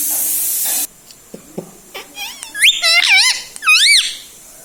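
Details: Pet parrot talking indoors, taught words such as mummy and mithu: after a burst of hiss and a second of quiet, squeaky, wavering, harmonic syllables come in short clusters, rising and falling in pitch, louder toward the end.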